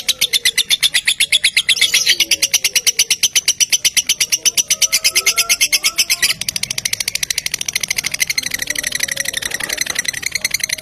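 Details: Lovebird lure sound meant to prompt other lovebirds to sing along. A long, fast, shrill chatter is pulsed several times a second, with a slight change in tone partway through and faint low background sounds.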